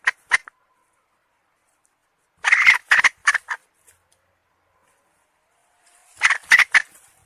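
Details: Hen producing scattered clusters of sharp, raspy squawks separated by long silent gaps: a quick pair, then a burst of four notes, then a final tight trio.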